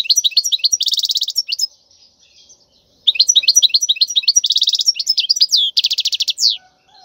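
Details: Wild European goldfinch song for teaching young birds: fast twittering phrases of high chirps, a dense buzzy trill near one second, a pause, then renewed twittering with another buzzy rattle and a falling sweep.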